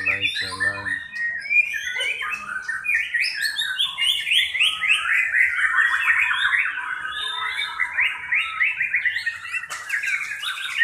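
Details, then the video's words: In a simulated 'pastol' class songbird contest, a white-rumped shama delivers a long, unbroken torrent of quick chattering trills and rising and falling whistled notes, loud and rich throughout. "kelas murai batu pastol"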